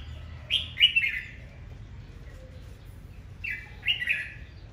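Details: A red-whiskered bulbul in aggressive, fighting-style morning song gives two bursts of bright, rolling, chirpy phrases, a quick run of three notes, a two-second pause, then two more; faint low hum beneath.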